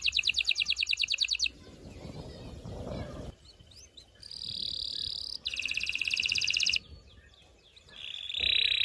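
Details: Canary in continuous song for mating stimulation of males and females: bursts of fast high trills alternating with gaps of broadband noise, a buzzy trill near the middle and a sustained high note at the end.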